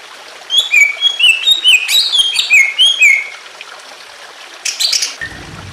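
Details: Greater green leafbird song set against gently trickling water, used to stir other birds into singing; a run of clear whistled slurred notes dropping in pitch, a short gap, then a brief harsh burst.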